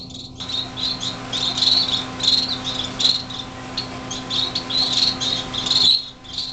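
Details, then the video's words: Fledgling finches, six of them, just out of the nest in a greenhouse in January 2007. Bright high-pitched chirps come in quick overlapping bursts, louder in the middle and end, with a constant low hum behind. "baby finches"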